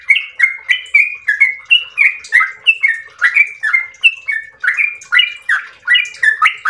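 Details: Continuous long ropel-style singing from a yellow-vented bulbul: warbling, liquid notes that jump up and down, run together in rapid phrases about three per second with no pause.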